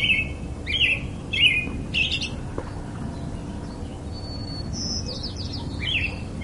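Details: Robin giving several bright chirps with falling tails in the first two seconds, then quieter high thin notes, with a faint steady low hum throughout.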